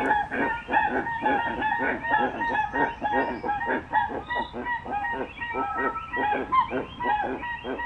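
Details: Crested guan honking in a dense, continuous stream of harsh nasal notes that overlap throughout, sounding like several rapid goose-like calls running together.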